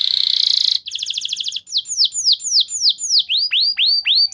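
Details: Training lure song of a canary; buzzy trill, a fast series of short notes, then clear downslurred whistles and deep swooping calls repeated about three per second.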